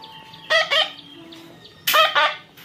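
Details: Baby parrot being tamed by hand, giving two harsh, raspy double squawks about one and a half seconds apart, with faint thin whistled tones in the background.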